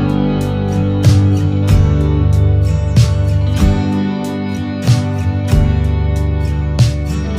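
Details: Strummed acoustic guitar music with steady plucked chords and rhythmic accents roughly every second, no animal voices audible.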